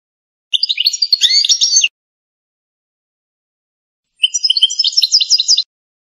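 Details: Authentic Algerian European goldfinch singing in the pipiniere (campero) style: two separate bursts of rapid, high, tinkling twitters and short trills, each about 1.5 seconds long, with silence between them.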